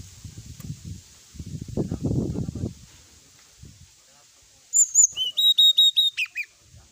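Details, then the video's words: Sooty-headed bulbul on a tutor recording played at night to encourage singing: after people talk in the background, the bird gives a quick series of about ten bright, sharp whistled notes, evenly paced. "srdc gacor full isian ,masteran srdc malam hari dan terapi srdc"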